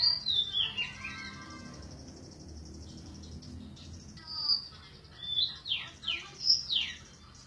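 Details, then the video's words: Golden-bellied gerygone song of high, thin whistles sliding down in a wavering descending run, a quiet gap, then a burst of several sharp downslurred whistles repeated in quick succession; soft low rumble underneath. "suara burung remetuk laut"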